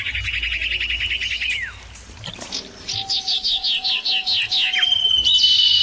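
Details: Clear, loud common iora exchange: a buzzy held whistle that falls away, a quiet gap, then a rhythmic run of about eight rapid repeated chirps above a low steady tone, ending on a long level whistle.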